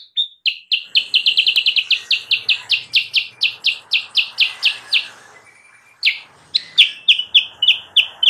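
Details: Lure recording for wild sooty-headed bulbuls: a fast, accelerating run of sharp downslurred chirps over faint background hiss, a short pause, then further spaced chirps.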